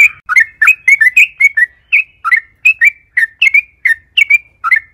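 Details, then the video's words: Long, vigorous song of a yellow-vented bulbul, used as a lure to get other bulbuls singing: clear chirping notes in quick pairs and triplets, rising and falling slurs repeated steadily, over a quiet background. "trucukan gacor panjang AMPUH buat PANCINGAN TRUCUKAN AGAR BUNYI"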